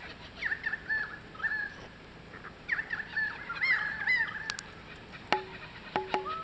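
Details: Kookaburras fighting over a lizard at Carnarvon Gorge, Australia; harsh rising and falling chattering notes in bursts, with several sharp clicks and knocks late on.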